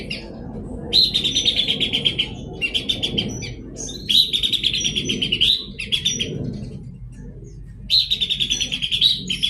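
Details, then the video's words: A Horsfield's babbler sings three long bursts of fast, rattling, buzzy pulses, each starting high and sliding slightly down, separated by quiet gaps of about a second. "Penampakan pelanduk semak gacor"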